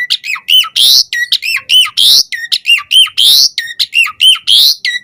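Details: Asian pied starling singing to provoke replies from other starlings, alternating ringing looped whistles with harsh rising buzzy squawks in a fast, lively back-and-forth pattern.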